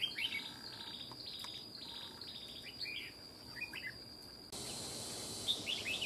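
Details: Old wild red-whiskered bulbul, small but loud and sharp-voiced, scolding a decoy: evenly spaced short warbled phrases with rapid up-and-down notes, then a sudden rise in background hiss; steady insect whine throughout.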